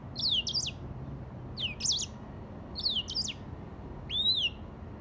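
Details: Song of a grey singing finch, delivered as four separate high phrases about a second apart, each a quick zigzag of sweet whistled notes, the last a single arched whistle that rises and falls.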